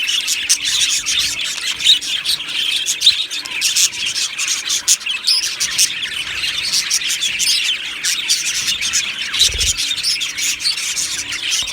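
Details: Budgerigar flock chirping in an aviary, 1 July 2025: lively overlapping high tweets and chatter pour out without a break, plus one brief low thump near the end.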